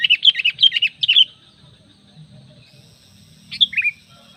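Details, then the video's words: Sooty-headed bulbul lure call used to draw other bulbuls, opening with a fast run of bright chirpy whistled notes, then a pause and a short two-note phrase falling in pitch. "SUARA PANGGILAN PIKAT KUTILANG MENGGARUDA"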